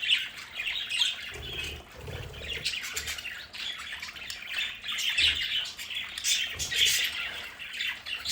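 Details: Pet budgerigars kept in a play area at home, a flock warbling and chirping continuously, with scratchy squawks and bright tweets rising above a constant twittering bed.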